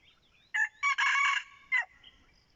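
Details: Crowing red junglefowl kept as a decoy: four-part crow with a brief first note, a second burst, a long, loud, rough middle section and a short downward-sliding ending, over faint background.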